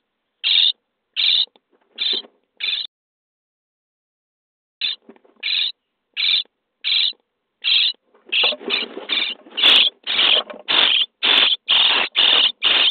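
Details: Starling nestlings in a nest box, day 23, begging during feeding: four rasping calls, a pause of about two seconds, then calls resume and speed into a dense, excited burst of overlapping harsh notes.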